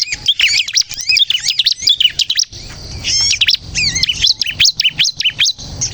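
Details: Bar-winged prinia in lively full song, meant to lure and provoke others to sing: rapid runs of high zigzag notes, a brief pause near the middle, then another quick burst of repeated sharp phrases.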